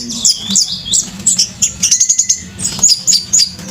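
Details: Orange-headed thrush singing intensely with fanned tail: rapid high chirps and flicked whistles, quickening into a fast rattling burst of evenly spaced notes before slowing into separate chirps.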